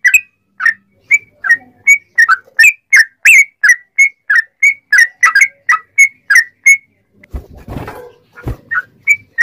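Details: Sooty-headed bulbul singing to stir other bulbuls into song: a long series of short, whistled chirps, each bending in pitch, about three a second, then a few noisy thumps and rustles before the chirps resume.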